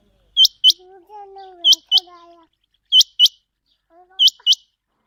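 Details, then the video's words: Quail of the Chinga type, used for hunting, calling in crisp doubled whistles repeated regularly, with faint lower drawn-out sounds in the background between pairs. "Chinga quail vioce /چنگا بٹیر کی صاف آواز"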